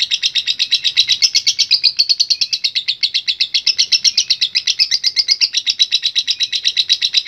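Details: Lovebird chattering nonstop in a long ngekek, an unbroken shrill trill of regular rapid pulses, roughly four per second, holding steady and loud throughout.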